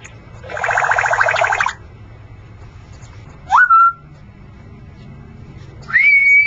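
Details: Captive male Congo African grey parrot in a shop makes a harsh buzzy rasp, then two clear rising whistles that level off, one lower and one higher, with quiet room hum between.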